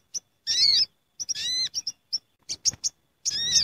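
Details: Gathering flock of sooty-headed bulbuls (sogok ontong), noisy lure sound: wavering whistled phrases overlapping, interspersed with quick short chips and clicks, several bursts across the stretch, quiet background.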